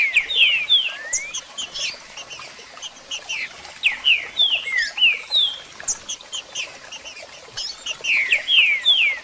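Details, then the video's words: Green-winged saltator singing and calling, aimed at motivating a caged bird: clustered groups of sharp falling whistles repeated in bursts, with a thinner quieter stretch between the louder phrase groups. "Canto e Piados Para Levantar a Fibra do Seu Trinca Ferro"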